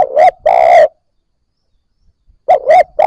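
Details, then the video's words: Newly caught Spotted Dove cooing, used to stimulate other newly caught birds to coo: two quick throaty coos and then a longer rolling croo, with the phrase starting again after a pause. "Cu gáy bổi mới nổi gáy / Tiếng cu gáy kích bổi nhanh nổi"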